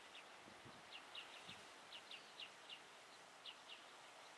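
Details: Western yellow wagtail, an adult male chasing off a juvenile or adult female, at Qiaotou, Kaohsiung, Taiwan, 1 October 2020 at 14:44; about eleven short, thin, high chirps over four seconds, with soft rustling thumps beneath.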